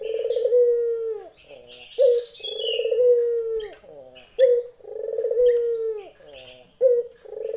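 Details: Low, rolling coos of a female Barbary dove calling to a male, in the lenjeh style. Short and long notes alternate about every two and a half seconds, with scattered high chirps from other birds.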